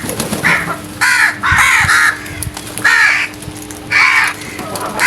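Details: Crows calling loudly in the early morning: harsh, rasping caws, five main calls roughly every second, some doubled, with a faint steady hum underneath.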